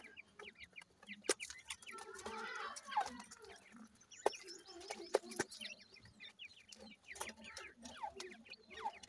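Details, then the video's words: Young grey francolins calling in a busy chorus of quick high peeps and chirps, many sliding downward, densely overlapping, with brief louder taps and faint background voices. "partridge birds chicks, best teetar babies, dakhni teetar babies"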